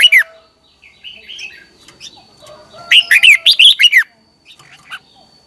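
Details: Morning training song of a red-whiskered bulbul used as a lure for other birds: a brief opening note, soft scattered chirps, then a loud one-second run of quick warbled, slurred notes and a fading chirp.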